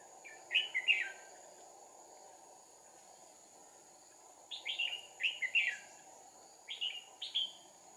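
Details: Red-whiskered bulbul trapping with two decoys on 2 April 2019; decoy's fighting song comes as a burst of bright warbled whistles, a long pause, then a series of rapid repeated slurred phrases, over insect drone.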